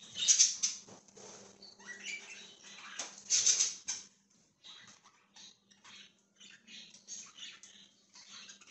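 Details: Budgerigar chirping, recorded 1/20/2023, in loud scratchy bursts with a few sharp high squeaks near the start and middle, then softer clipped chirps after short pauses; a low steady hum sits underneath.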